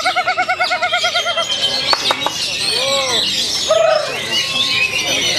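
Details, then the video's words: Oriental magpie-robin at a magpie-robin gathering in Tegal on 12 February 2023 sings a rapid run of repeated whistled notes, then looping slurred phrases, over a dense chorus of other songbirds, crowd noise, music and applause. "Burung Kacer Ini Bikin Kejutan"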